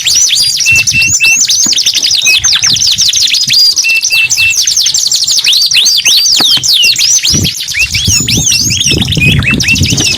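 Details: Long canary song: bright chattering trills and quick looping whistles run almost without pause, with short flat notes mixed in and faint low thumps behind.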